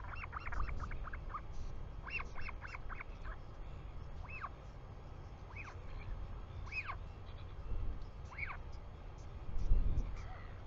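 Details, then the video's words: Royal albatross chick in New Zealand, greeting a returning parent on 24 July 2020 at 4:06 pm: repeated short rising-falling squeaky calls in quick bursts, over steady low wind rumble. "A great day for Pippa! Dad comes home"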